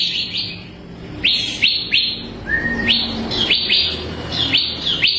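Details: Bar-winged prinia (ciblek kristal), a tutor recording for training kept songbirds: clear, high, sharply rising chirps repeated in quick pairs, plus one level whistled note midway, over faint low background hum.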